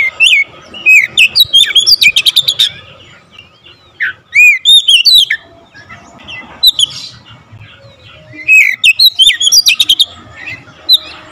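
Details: Oriental magpie-robin in long, varied song: bursts of whistled slurs and rapid chip trills, separated by short pauses and repeated several times.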